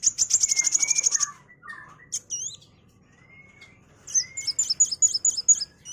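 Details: Sunbird known as kolibri wulung, singing as a master for magpie-robins: a fast high trill, a pause with soft slurred whistles, then a quick series of very high hooked chirps.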